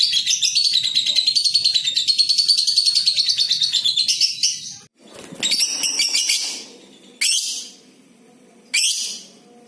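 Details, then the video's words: Lovebird giving a long, clear chatter meant to prompt other lovebirds to sing: a dense, rapid run of buzzy high notes for about five seconds, then shorter harsh bursts separated by brief pauses. "Masteran burung LOVE BIRD suara JERNIH untuk pancingan SEMUA JENIS LOVE BIRD suara ngekekk panjang"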